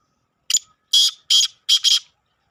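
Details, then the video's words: Call of a black francolin (kala teetar): a brief click-like opening note and then three scratchy, grating syllables in even rhythm, the third broken into two, over near silence. "kale teetar ki awaj !! kaa laa tee tar"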